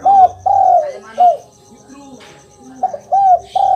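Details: Spotted dove cooing, played to prompt a silent kept dove to answer: arched, mellow coos in two bursts of three notes, the last drawn out and falling, over a steady high rhythmic chirping like an insect.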